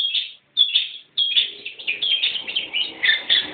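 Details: Young newly caught long-tailed shrike singing: loud, harsh, chattering high notes in rapid bursts, a brief pause after the opening phrase, then a continuous scratchy warble with no other sounds.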